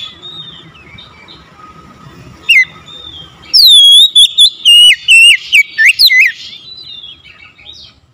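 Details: Oriental magpie-robin, sung to draw a silent, lazy bird into a response. Soft, faint notes give way to a sudden, rapid string of loud whistles that bounce up and down for nearly three seconds.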